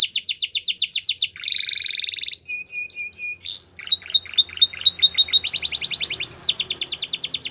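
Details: Belgian canary singing as a training model for young canaries, varied phrases in quick succession: rapid trills, a buzzy rolled note, level whistles, clipped repeated notes and a final fast high trill.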